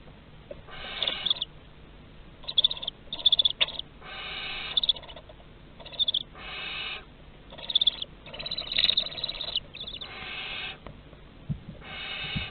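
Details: A nest box of barn owls in Théding, France, 30 August 2020: a rapid series of about a dozen rough, breathy hisses, some overlapping, with thin high squeaky chirps riding on several of them.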